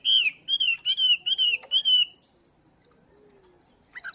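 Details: Morning voice training of a Chinese hwamei caged for two months: five clear, steady whistled notes with slight down-slurs, roughly two per second, then quiet with a brief far note at the end.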